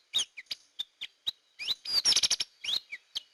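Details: Hair-crested drongo, used as a lure call: scattered sharp chirps that build into a rattling burst of fast notes, then a few twangy upslurred calls.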